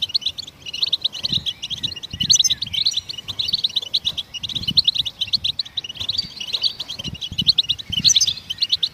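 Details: High, jangling goldfinch twitter sung to spur other songbirds into song, an unbroken stream of quick chirps and tinkling trills with occasional short pauses.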